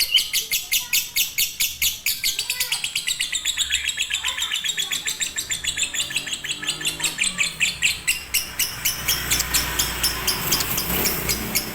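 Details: Konslet-style fighter lovebird song, a master track for birds that are lazy to sing: a dense, shrill chatter of rapid chirps that continues steadily, growing hissier and more blurred toward the end.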